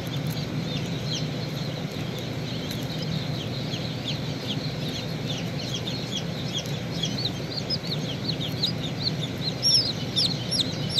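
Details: Baby chicken hatching out of its shell: rapid high, thin peeps falling in pitch, several per second throughout, over a steady low machine-like hum.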